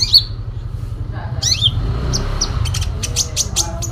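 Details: Sooty-headed bulbul in full fighting song with imitation fill: an opening whistle and a quick descending warble, then a string of short high clicks and chirps over a low droning hum.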